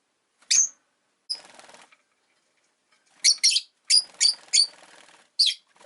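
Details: Rosy-faced lovebirds, five caged birds by a window, chirping in winter: a sharp opening chirp, then a series of evenly spaced shrill chirps over faint scratchy rustling.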